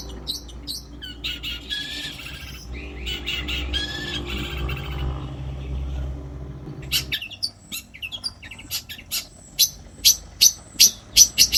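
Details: Long-tailed shrike kept as a song bird, singing mimicry-laden harsh song: scratchy phrases and a few slurred whistles at first, then after a pause a run of loud sharp high chips, spaced and quickening.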